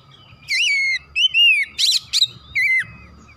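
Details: Oriental magpie-robin song: a kacer gives several clear whistles, some dropping in pitch, broken by a loud harsh buzzy burst in the middle, over a faint low background hum.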